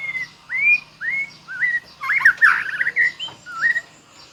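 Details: White-rumped shama singing in the full bongkar isian style: clear whistled notes near the same pitch, several rising or slurred, spaced about every half second, broken midway by a brief dense warbled burst, over a faint low hum.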